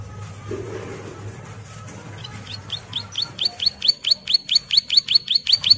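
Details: Bar-winged prinia female in breeding condition calls its mate, used as a lure: after a low hum, a fast series of high, upward-flicking chirps begins and builds into an insistent, evenly spaced string growing louder.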